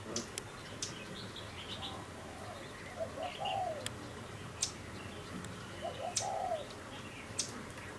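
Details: A caged decoy spotted dove used for tree trapping, hung outside on a cold day with a wild dove calling nearby, gives two soft, low, rolling coo phrases about three seconds apart, amid sharp clicks and faint chirps of other birds.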